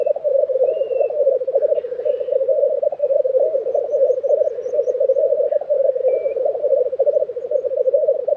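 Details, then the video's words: April 2023 black grouse lek in Tiveden, Sweden: rolling low bubbling carries on throughout, while thin high whistles and a brief rapid ticking series from other birds sound faintly above. "Black Grouse Lek - sound recording"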